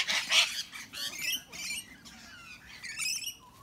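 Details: Rainbow lorikeets picking on bigger birds including sulphur-crested cockatoos and brushturkeys: two loud, raspy shrieks open, followed by thinner squeaky chatter and short whistled notes.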